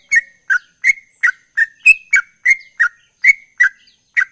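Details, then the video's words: Lively sooty-headed bulbul song in the ropel style, described as drawing a quick response. About a dozen ringing, slurred chirps in four seconds, one clearly higher whistled note among them, each note with a crisp attack. "Trucukan Gacor Ropel durasi pasti langsung respon"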